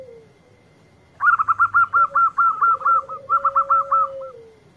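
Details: Local zebra dove, praised as a sweet, frequent singer, delivers a rapid stuttering series of about fifteen bright clipped notes over three seconds, above a long low steady hoot.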